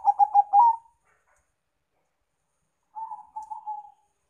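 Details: Zebra dove used as a lure, Bangkok or local type: the end of a stuttering string of short cooing notes, then after a pause a soft, wavering low coo.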